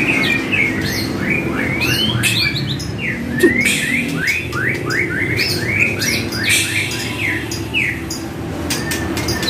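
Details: White-rumped shama song meant to make captive shamas answer and empty their repertoire: a lively stream of short rising and falling whistled phrases repeated over several seconds, constant low hum behind.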